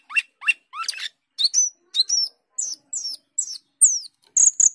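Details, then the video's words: Asian glossy starling (cucak keling) singing prolifically: about ten separate sharp whistled notes, slurred up or down, climbing steadily higher and ending in thin, sustained high notes. "Cucak keling gacor teler"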